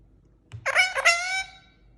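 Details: Indian ringneck parakeet kept as a pet, calling as it walks; one long harsh, nasal squawk in two surges lasting nearly a second, with a soft tap just before and a low background hum.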